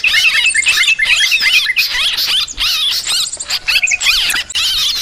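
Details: A noisy flock-like chorus of yellow-vented bulbuls, recorded to lure birds. Shrill chirps and rippling whistled phrases come in clustered bursts, separated by short gaps.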